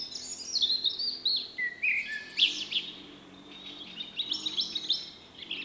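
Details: Shy male Common Blackbird with an unusual individual song ("vuippi vuippi vuuu"), recorded late March 2024: high, thin twittering and squeaky phrases with one brief lower fluty note midway, over a faint low hum.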